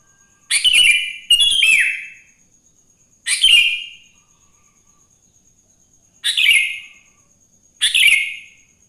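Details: Wild sooty-headed bulbul in the morning, a recording meant to prompt other bulbuls into singing. Five bright, bubbly, slurred phrases come in quick pairs and singles, each dropping in pitch, with clean silence between.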